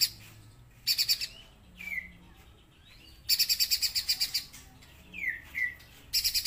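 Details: Energetic streaky-breasted spiderhunter song of fast, scratchy pulsed chatters lasting about half a second to a second each, separated by short descending whistled slurs.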